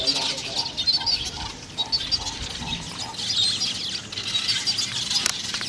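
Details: Summer breeding colony of lesser masked weavers in a fever tree outside reception: continuous high, buzzy chattering from many birds, with a lower note repeated about twice a second beneath.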